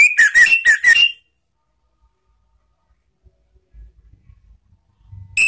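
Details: Lure song of an Orange-headed thrush for cage-bird training, ngeplong style: a short run of four or five bright whistled, slurred notes, then quiet with faint low knocks and a new phrase starting.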